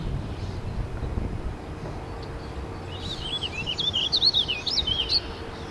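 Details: Warbling vireo at the Saint-Charles River on 8 June 2010 sings one fast, rambling phrase of high up-and-down notes lasting about two seconds, over low rumbling background noise and a steady hum.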